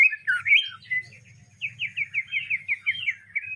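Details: Greater green leafbird song filled with house sparrow-style phrases: bright slurred whistles, then a run of quick rising-falling notes, about two a second, over a faint low hum.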